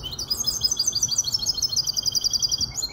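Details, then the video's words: Goldfinch hybrid bred from a Malaga hen, five months old, in Casablanca, singing a fast, continuous high twitter of sharp repeated chirps and buzzy trills, with faint low background hum. "تغريد هجين الحسون كوبية ملقا 5 أشهر"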